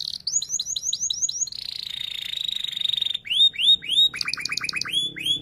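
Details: Canary song used as a model for young canaries learning to sing: rapid series of high rising-falling whistled notes, a sustained buzzy trill, then quick upswept chirps.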